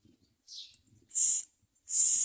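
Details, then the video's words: Common myna chicks at the nest screaming to their mother: three harsh, hissing screeches, the last two long and loud, separated by short gaps. "Common myna Baby Birds Screaming Mother at Nest"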